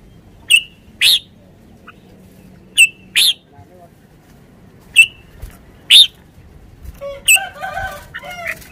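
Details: Red-whiskered bulbul, a Thai cage bird, repeats a sharp two-note whistled phrase several times with short gaps, followed by softer mixed chattering from other birds.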